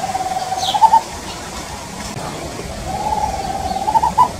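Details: A tropical screech owl singing in woodland on a farm in Brazil gives two low, purring trills, each rising slightly and ending in a few louder accented hoots, over a quiet background hiss.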